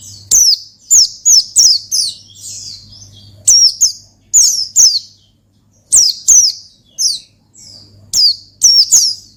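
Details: Energetic ngalas song of an Oriental white-eye, played to draw out and stimulate rival birds: rapid groups of piercing, descending twittered notes, about two to four per burst, repeating steadily over a soft background hum.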